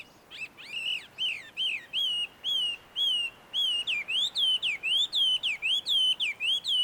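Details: Wild Chinese hwamei singing in shady woods around a Tenmangu shrine, Joso, Ibaraki, Japan: loud, rich whistled notes repeated about twice a second. Early notes are slurred downward, later ones arch up and down in a lively, varied series.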